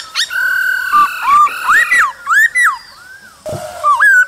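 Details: A male laughingthrush sings with female calls in the cold season, producing rich, full-toned whistles that slide up and down, with several swooping phrases and short pauses between them.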